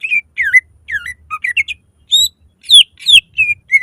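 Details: Greater green leafbird singing loudly to prompt other leafbirds to sing, a lively jumble of slurred whistled notes dipping and rising, with sharp upward sweeps and brief pauses between phrases.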